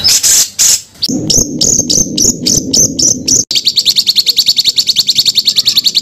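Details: Small songbird used as masteran material for pet birds: loud harsh opening notes, a series of sharp high chips over a lower rumble, then a tight rapid trill of repeated high notes.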